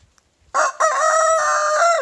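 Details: Young big brown backyard rooster crowing loudly in the morning while a smaller Silkie rooster chases him; after a brief quiet lead-in, one sustained harmonic cock-a-doodle-doo holds a steady pitch for about one and a half seconds, then drops away at the end.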